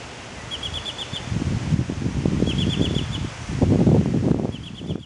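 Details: In a front yard where young Baltimore orioles have just left the nest, an oriole gives three quick runs of high, even notes, about six to a run, over loud low rustling and wind noise.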